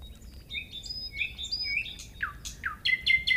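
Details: Common nightingale song of varied phrases: level whistled notes, downslurred sweeps and a closing series of loud repeated buzzy notes, over faint low background noise.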